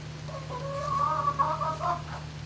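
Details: A single turkey call indoors in a barn at night, 11-05-2018 around 20:41–21:41: one drawn-out, harmonic, slightly wavering note lasting about two seconds, rising and breaking at the end, over a steady low droning hum.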